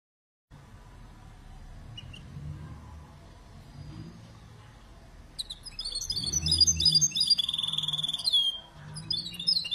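A goldfinch–canary mule sings a rapid, twittering song of bright trills and chirps.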